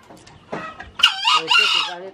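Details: Green junglefowl (ayam hutan hijau), a fierce, frequently crowing bird kept by an old man, gives a short two-part harsh crow: a rising raspy note, then a longer buzzy second phrase, after faint speech.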